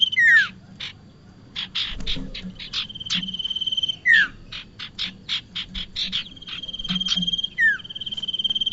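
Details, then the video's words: Bar-winged prinia sounds used as a trapping lure: clear, down-slurred whistles between spells of short buzzy chips and a long flat whistled trill, with the pattern changing irregularly. "SUARA UNTUK PIKAT BURUNG PRENJAK"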